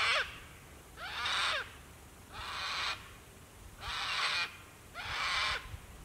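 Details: Sulphur-crested cockatoos calling at sunset over Lake Broadwater, Western Downs, Queensland, Australia: five loud, rasping screeches, each about half a second, repeated roughly once a second in a steady series.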